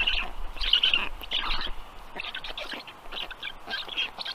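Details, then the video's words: Black stork chicks fed at the nest, Estonia, evening of 15 June 2022; short scratchy chattering bursts, quick and uneven, over low rumbling background noise. "Must-toonekurg2~Dinner for the storklets"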